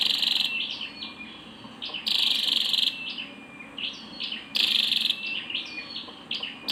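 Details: Female Scarlet-backed flowerpecker: loud grating buzzes lasting under a second recur about every two and a half seconds, mixed with short sharp chirps.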